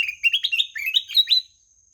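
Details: Melodious ruby-throated bulbul (kutilang emas) song: one rippling phrase of rapid whistled notes that climb and drop in small steps, clean and unaccompanied, ending after about a second and a half.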